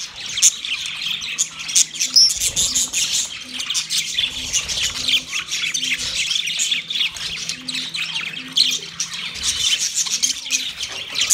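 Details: Budgie calls to another budgie: unbroken high, scratchy twittering and squawking from many overlapping birds, steady in loudness.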